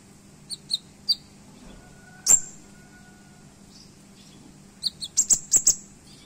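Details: Olive-backed sunbird song, kept as a song-tutor recording: thin, piercing high chips in short bursts, one sharp snapped note midway, then a quick run of shrill, stabbing notes.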